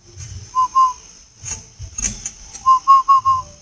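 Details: Spotted dove from northern Vietnam cooing: a short pair of soft hollow notes, then a run of four mellow coos in quick succession, over a steady high hum and low thumps.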